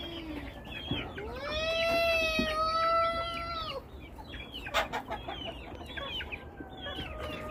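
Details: One bird in a flock of chickens gives a long, steady crow lasting almost three seconds. Clucks, short chirps and a sharp click follow.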